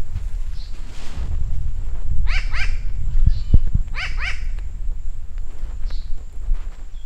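A New Caledonian crow gives two quick pairs of nasal, arched 'waak' calls about two seconds apart, over low wind rumble and a faint steady hum.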